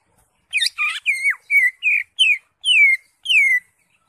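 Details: Green leafbird song used to prompt a caged bird: eight whistled notes in about three seconds, the first twisting and buzzy, the later ones smooth, long, falling slurs.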